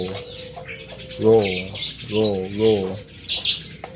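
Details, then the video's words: Javan myna imitating sounds such as speech, coughing, frog and duck: a thin steady whistle, then two nasal, wavering, voice-like phrases about a second apart, with scratchy chatter above. "JALAK KEBO PANDAI MENIRUKAN SUARA,KATAK,BEBEK,SALAM,BATUK,ES KRIM,HALO CEWEK"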